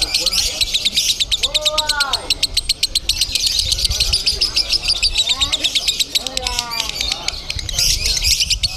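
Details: Lovebird singing at a bird-song contest in Bandung: fast, sharply pulsed high chirping trills run almost without pause, over a crowd murmur with men's voices and some lower whistled notes from other birds.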